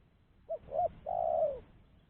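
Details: Clean spotted dove call for luring doves: a short note, a rising-and-falling coo, then a long even coo that drops at the end, heard against a soft low background.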